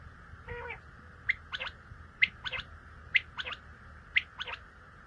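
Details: Common quail giving its clipped three-note call, a short sharp note followed by a quick liquid pair, repeated about once a second against a constant hissing hum.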